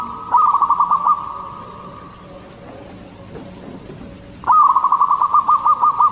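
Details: Local zebra dove of the Katuranggan Cendolo Sabdo type singing, a song used to lure other zebra doves: two bursts of rapid, even-pitched cooing notes in a quick stutter, separated by about three seconds of quiet.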